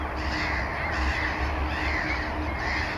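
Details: Breeding colony of Mediterranean gulls at Sol de Loire, Montjean-sur-Loire, Maine-et-Loire, with black-headed gulls and common terns, recorded 12 May 2013; clear arched, drawn-out nasal calls repeated about every half second against dense background colony noise.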